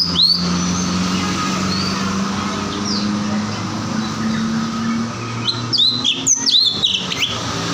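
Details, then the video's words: Cucak cungkok bird singing: short, high whistled notes, sharply rising and falling, scattered at first, then a quick burst of bright whistles near the end, over a steady low engine hum. "burung #cucak cungko"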